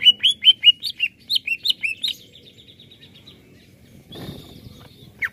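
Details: Greater green leafbird (Chloropsis sonnerati) singing actively: a fast run of about a dozen bright, high whistled notes, then a thin sustained whistle, with a brief rustle near the end.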